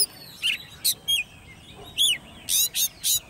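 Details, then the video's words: Caged ten-month-old Oriental magpie-robin, raised by hand, singing in competition: spaced loud notes, some clear downward whistles, others harsh rasping bursts, each separated by brief silences. "Chú Choè Than Nuôi Non 10 Tháng Lồng Mỏ ''SIÊU DỊ'' Hót Đấu"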